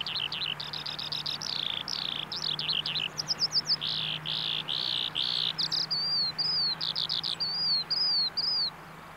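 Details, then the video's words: Eurasian skylark song recorded at a bulb farm in Saanich, British Columbia: a continuous, varied high warble of fast chirp runs, sweeping slurs and repeated short arched notes, with a faint low hum underneath. "European Skylark"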